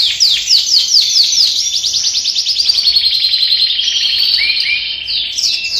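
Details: Caged canaries just put together in breeding pairs at the start of the 2021 breeding season; a loud, continuous high song of rapid rolling trills and repeated notes lasting nearly six seconds, ending in short slurred whistles.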